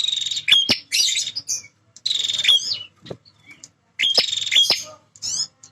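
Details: Male bar-winged prinia, known for guarding its feeding and nesting area, delivering harsh buzzy phrases with clicking ticks roughly every one and a half to two seconds.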